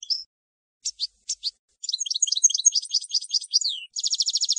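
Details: European goldfinch field song used to train young decoy and contest birds: a few short separate high notes, then a rapid twittering run of varied chirps and a fast buzzy trill at the end.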